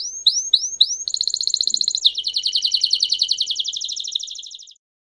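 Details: Belgian canary singing in the campainha style for training young and adult birds: four quick rising sweeps, then a rapid high trill that drops a step in pitch and fades after nearly five seconds.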